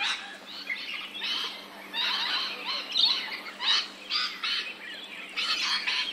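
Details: Rainbow lorikeet in Australia, captured with an ambisonic surround recording: harsh, raspy screeches come in short noisy bursts, about one each half second, with brief gaps between them.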